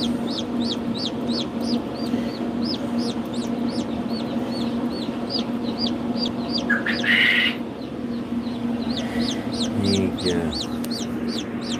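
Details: Ayam Cemani chicken: rapid bursts of high, falling peeps that stop and restart, with a brief harsh squawk in the middle and a continuous low droning background.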